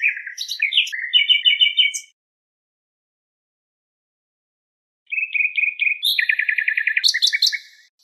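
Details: Nightingale singing on a recorded song tape: two bursts of fast, rattling repeated notes and dry trills with metallic clicks, separated by three seconds of silence; no other sounds present.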